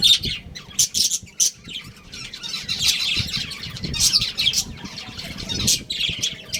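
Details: Budgerigars, a pet breeding pair, chattering almost nonstop with high, scratchy chirps and warbled squeaks in quick irregular runs. A faint low rumble sits beneath.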